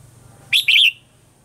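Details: Single phrase of Red-whiskered bulbul morning song, mature wild-style voice used as a lure for training caged birds: a short bright chirp followed by a rising-falling warbled note, over a faint low hum.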